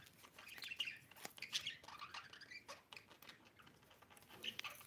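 A budgerigar chirps and chatters in quick, scratchy bursts of high notes.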